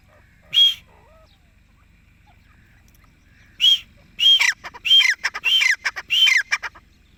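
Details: Francolin, called dakni or desi teetar, with a single loud harsh call, a pause of about three seconds, then a quick run of five ringing, grating notes that drop slightly at their ends; otherwise quiet.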